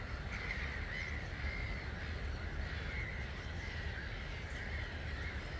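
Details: About 250,000 starlings leaving their roost at 05:45 on 21 March 2022, seen from a hide at Gibraltar Point NNR; a dense, steady wash of massed chattering from countless birds over a low, constant rumble of wind or wings.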